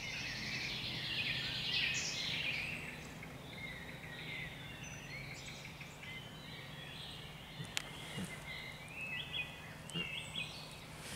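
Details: Common chaffinch (Fringilla coelebs) singing at the Sobieski Canal on 31 May 2021: a bright, tumbling trill with scattered high chirps over a low steady hum.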